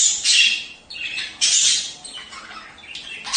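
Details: Budgerigars in a mating-call recording meant to encourage pairs to breed and lay eggs; harsh buzzy squawks in long bursts, loud at the start and again near the middle, fading into softer chatter.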